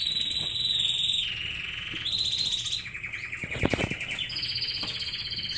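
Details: A canary sings while several pet canaries feed on treats: long steady whistled tones that step between pitches, then a rapid buzzy trill, with a few sharp clicks of pecking mid-phrase.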